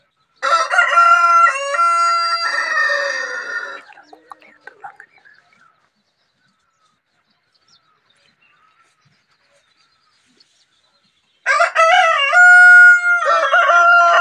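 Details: White rooster crowing twice, each crow long, loud and stepped in pitch with strong harmonics, the first running nearly four seconds, then a long quiet pause before the second crow begins near eleven seconds.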